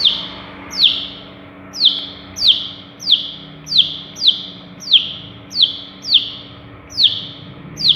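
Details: Mimicking long-tailed shrike from Madura repeating loud, sharply falling whistled notes roughly every two-thirds of a second in a steady string, a low mechanical hum in the background.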